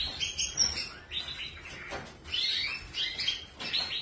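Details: Canary birds twittering in clear, high, rippling notes, with short rising and falling chirps packed close together, then a brief lull before another burst.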